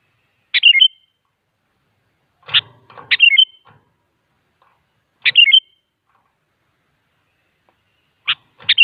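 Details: Sooty-headed bulbul singing, used as a lure to draw other bulbuls into answering: short bright bubbling whistled phrases, each opening with a sharp upward note then quick warbled drops, repeated roughly every two to three seconds against a silent background.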